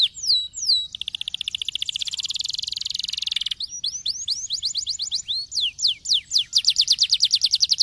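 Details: Canary song used to stimulate other canaries to sing: a strong sequence of descending whistled sweeps, then a fast buzzy trill, followed by rapid repeated down-slurred notes and a quick rolling trill at the end.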